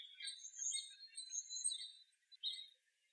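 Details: Several pine siskins in a birch on November 24, 2012, giving a dense, continuous high twittering chatter of overlapping chirps and trills, with brief pauses near the end.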